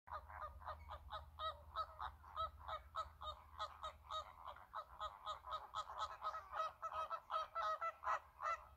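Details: American flamingo flock at the Lagunska ribogojnica nature reserve, 4 January 2024, giving nasal, goose-like honks, several per second and overlapping in a steady chatter, over a low background rumble.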